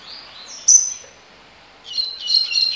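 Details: Double-collared seedeater singing in the tui tui (tocó) song style: thin high whistled notes and a descending slurred whistle, a short pause, then a rapid burst of buzzy, jangling high notes.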